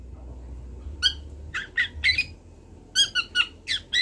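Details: Young long-tailed shrike from Kendal practising song: quieter, nasal, harmonic-rich notes in small groups after a silent start, over steady background noise.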